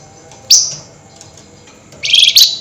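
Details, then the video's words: Flameback calling actively at night in an excited, high-energy chattering style, locally called nyerecet: two harsh, high-pitched rasping bursts, a short one and a longer buzzy one about one and a half seconds later, over a quiet background. "Tembakan Burung FLAMBOYAN GACOR Nyerecet Emosi Tinggi DiMalam Hari"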